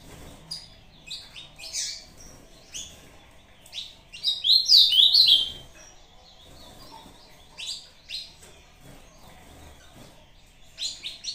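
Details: Ultramarine grosbeak (azulão) of the Brazuca type singing a short competition song while answering a played recording: a loud, quick warbled phrase of rich sliding whistles in the middle, framed by scattered sharp chirps.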